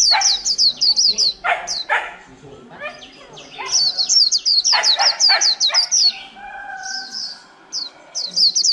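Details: Wild-caught white-eye kept caged for over a month, giving 'líu' song: repeated bursts of rapid high chirps broken by lower rasping notes and short gaps, with faint voices in the background.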